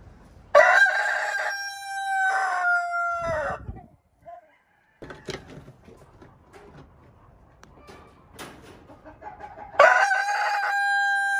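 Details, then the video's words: Leghorn rooster crowing twice, long held crows with falling ends, separated by a stretch of low background noise, knocks and talking. "Ayam Leghorn BERKOKOK"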